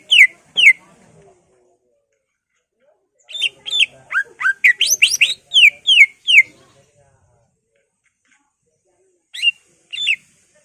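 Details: Greater green leafbird with a mimicry-filled ngentrok song meant to stir other leafbirds: two sharp notes, then a dense volley of quick slurred whistles, silence, and two closing chips.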